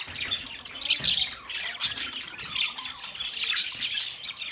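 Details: Budgies, the Australian parrot, recorded 13 March 2024, keeping up a busy stream of high, scratchy warbles and short chirps, several birds overlapping without pause.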